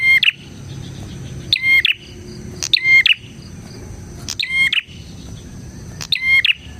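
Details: Vigorous bar-winged prinia song for luring prinias: five rapid, rattling two-part phrases with a pure whistled note, repeated every one to one and a half seconds at uneven intervals, faint background rumble.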